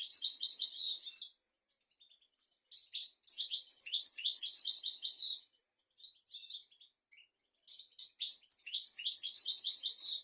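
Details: European goldfinch song used as a tutor recording for teaching goldfinches and canaries: bright, rapid twittering phrases of buzzy and liquid notes in three long bursts separated by short pauses with a few soft chirps.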